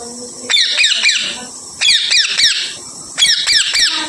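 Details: Parrot giving harsh, raspy squawk bursts in three groups of two to three notes, each group about a second long with pauses between, over soft room noise.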